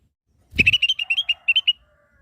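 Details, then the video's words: Lesser green leafbird song meant for training caged birds: a single rapid run of about twelve sharp, bright whistled notes at an even pace, opening with a low thud and ending abruptly. "SUARA BURUNG CAK IJO MINI"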